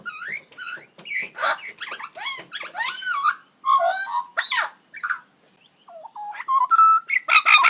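A magpie gives a rapid string of varied whistles, warbles and buzzy, electronic-sounding notes, some sliding up and down, with brief pauses.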